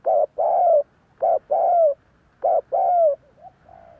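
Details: Spotted Dove cooing to entice other doves to coo back: three evenly paced pairs, each a short hoot followed by a long, mellow coo sliding down at the end, closing with softer notes.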